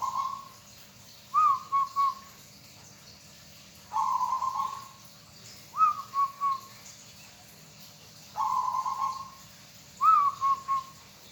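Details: Song of a local zebra dove kept by bird hobbyists: a purring trilled coo alternating with a rising note and two short coos, repeated three times across the stretch, each phrase about four seconds apart, over a quiet hissy background.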